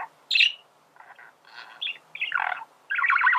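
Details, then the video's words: Male budgerigar song, used for teaching birds to sing: scattered short chirps and buzzy chattering notes with gaps, ending in a louder dense warble. "فيديو ممتع لتغريد ذكر بادجي"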